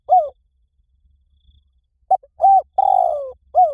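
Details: Spotted dove call played as a training lure for a dove to answer: short rounded coos, then a drawn-out descending coo and another brief coo, clean and close with no other sounds.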